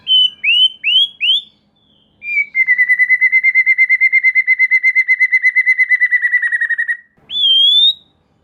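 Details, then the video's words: White-rumped shama song used as a lure so young spotted shamas respond fast: four upslurred whistles, then a long, even, rapid trill lasting over four seconds, ending with a rising whistle. "Suara Pancingan Murai Batu Agar Murai Batu Trotol Merespon Cepat Bunyi"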